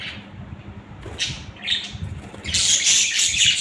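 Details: Budgerigars, several pet birds, give a few brief scratchy chirps, then break into a loud, dense burst of overlapping squawking chatter for the final second, with a low background hum.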